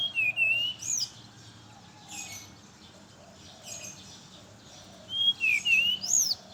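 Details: Brown-chested jungle flycatcher singing in the morning, used as a lure for others of its kind: clear whistled phrases rising and falling, with a bright high upslurred note, in two bursts separated by quiet gaps with faint distant chirps.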